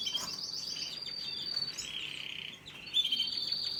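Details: Canary chicks calling while being fed: a dense, high, continuous stream of thin chirping that wavers in pitch, briefly dips, then returns louder and busier near the end.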